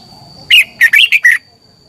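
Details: A red-whiskered bulbul sings a morning competition phrase to stimulate other birds: one short burst of five loud, clear whistled notes within a second, the middle notes slurring upward.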